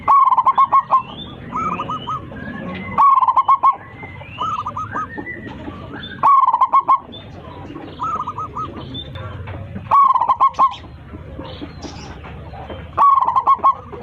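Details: Loud-voiced local zebra dove singing from a high perch to call its flock. Five bursts of quick, stuttering, rolling coos come roughly every three seconds, with quieter cooing from neighbouring doves in the gaps.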